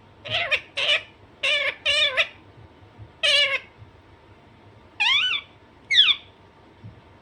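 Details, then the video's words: An Alexandrine parakeet gives five harsh, wavering squawks in quick pairs, then two shorter rising calls after a pause, over a faint steady hum. "Alexanderine naughty parrot/parrot natural sound"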